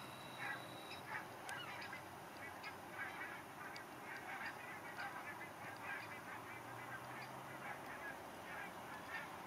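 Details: Geese migrating south for winter, calling in flight: faint, scattered short honking notes over a steady hiss of background noise.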